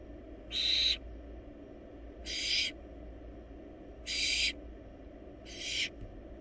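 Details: Wild barn owl nestlings in a monitored nest box feeding on a rabbit produce four rasping hisses at uneven intervals of about one and a half seconds, softer toward the end.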